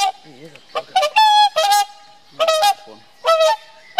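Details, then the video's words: Whooper swan pair calling to reinforce their bond: clear trumpeting honks in paired bursts, some notes dipping slightly at the end, with softer, lower wavering sounds between calls. "Whooper swan pair bond"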